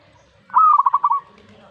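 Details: A lone stuttered coo phrase from a zebra dove reacting to a master recording opens on a short higher note and runs into a fast series of bubbling pulses.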